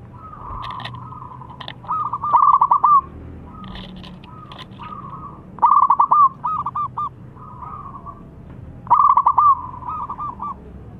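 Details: Zebra dove singing to make rival doves reply: repeated bursts of quick, bubbling staccato coos at a steady mid pitch, several phrases over eleven seconds, with softer answering doves between loud bursts.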